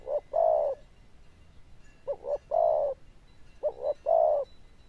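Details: Zebra dove with a loud bell-type voice (đồng chuông) and good cooing, giving three cooing phrases about a second apart, each a brief stuttered note then a longer mellow, slightly wavering coo, over a quiet background.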